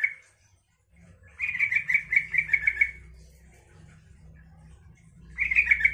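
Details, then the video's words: Singing yellow-vented bulbul provoking other bulbuls to reply: a rapid, rolling phrase of about a dozen quick notes, a further phrase starting at the end, over a steady low hum. "suara trucukan ini bikin trucuk lain nyaut dan ikut gacor"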